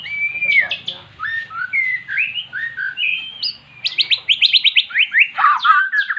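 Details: Silent caged magpie-robin finally singing after playback of recorded magpie-robin song: clear sliding whistles, then a fast series of sharp repeated notes and a rattling trill.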